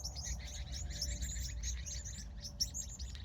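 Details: Birds twittering at sunset in California in the evening, close, rapid bursts of high chirps in a busy rhythmic chatter, with steady low rumble below.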